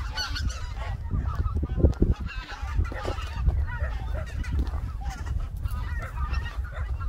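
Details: Greater white-fronted geese spending the winter on the Cheorwon plain in central Korea: steady stream of short honking calls from many birds, over a loud low rumble of wind.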